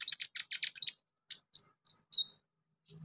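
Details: Konin sunbird, a kept songbird, gives a quick burst of sharp high chirps followed by a few longer whistled and slurred notes with pauses; otherwise quiet. From a track meant to trigger singing.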